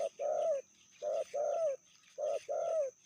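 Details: Medium-voiced female spotted dove, described as fiercer than the male, cooing in quick succession: each phrase is a short low note followed by a longer resonant coo that dips at the end, three phrases in about three seconds.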